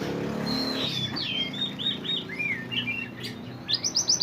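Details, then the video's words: Pied bushchat (mantenan) singing actively in a recording made for training songbirds: high whistled slurs and chirps, some falling, ending in a quick buzzy trill of rising notes, over a low steady hum. "mantenan gacor burung masteran / chirping sound bird"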